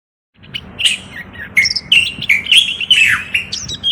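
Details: Moroccan common bulbul singing: a lively run of short whistled phrases, each sliding down or warbling, delivered almost without pause over about three seconds against a quiet background.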